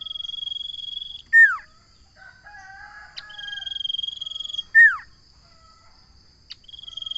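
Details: Common iora singing repeated phrases, each a long high pulsed trill capped by a strong downward-sliding whistle, with quieter low warbled notes in the gaps and a new trill beginning at the end.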